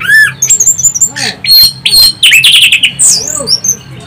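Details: Orange-headed thrush lure song, loud and high-pitched: sweeping whistles, rapid chattering phrases and scratchy squeaky notes tumbling together in dense bursts with brief pauses, faint low hum behind.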